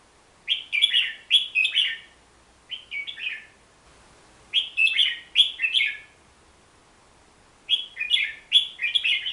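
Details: Song of a Hook-billed bulbul: lively bursts of three or four quick, warbling, downslurred notes, repeated after short pauses of one to two seconds against a quiet background.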